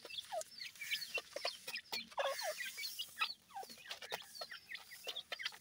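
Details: Feeding francolin chicks utter many brief, rising peeps in quick, irregular succession over soft clicks and rustling.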